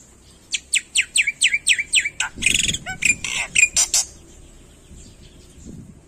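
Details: Jalak putih, the black-winged myna of Indonesia, giving a run of about eight descending whistled notes, then a mixed, noisier passage of chips and buzzes before fading to quiet.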